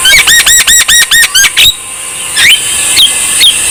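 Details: Javan myna song, meant as a remedy to stimulate lazy birds to sing: a rapid run of about eight loud arched chirps, evenly spaced, then a pause and a few sharp rising whistles over faint background hiss.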